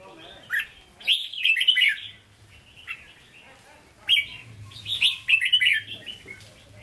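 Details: Red-whiskered bulbul, Hue-style 'hót ché' singer kept in a cage: two energetic bursts of tumbling whistled and chattering notes about three seconds apart, with a faint low hum between.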